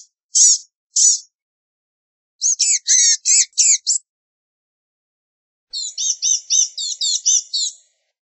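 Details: Blue-gray gnatcatcher: two thin high notes, then a tumbling scratchy phrase of five or six notes, and finally a longer fast string of squeaky warbled notes; clean background.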